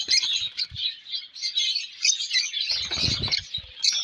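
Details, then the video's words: Young colour lovebirds keep up a busy, squeaky chatter of high chirps, while a low rumbling knock and flutter comes in near the end. "colour love birds chicks"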